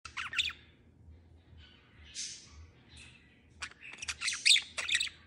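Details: Pet budgerigars playing on a bed indoors give scratchy, squawking chirps in quick irregular bursts, with a faint low hum beneath.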